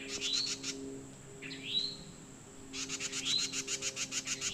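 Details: Towhee mating call with other birds joining in: three upward-sweeping whistled notes, mixed with rapid repeated pulsing chirps at the start and end and a low steady hum.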